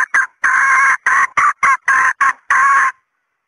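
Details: Female red junglefowl calling to draw in males, a loud series of harsh clucks of mixed length, some drawn out, spaced irregularly over about three seconds.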